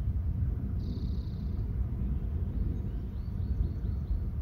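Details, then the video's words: Bald eagle, one of a pair, calling while soaring inland: a quick run of about six high, thin chirps, each dropping slightly in pitch, near the end, preceded by a short buzzy note, over a steady low rumble. "Both our eagles call"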